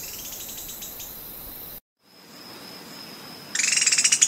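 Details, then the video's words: Serra das Lontras Treehunter (Heliobletus sp. nov., Bahia) gives a quick series of high, dry chattering notes that fades out, then a louder, faster burst after a brief silence; a thin steady tone between them. "kicauan 'Serra do Lontras' Treehunter"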